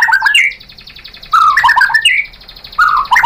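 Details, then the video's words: White-rumped shama (murai batu) lure song meant to provoke another bird into answering and singing; bright whistled phrases sliding between low and high notes, in three bursts separated by short pauses. "pancingan MURAI BATU bikin EMOSI NYAUT jadi GACOR"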